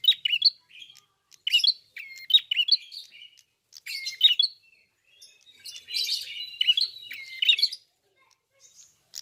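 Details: Red-fronted prinia in energetic full voice, open-beaked: quick runs of sharp high chirps with short thin whistled notes, coming in clustered phrases with brief gaps. A denser twittering stretch sits near the middle, and the background is quiet.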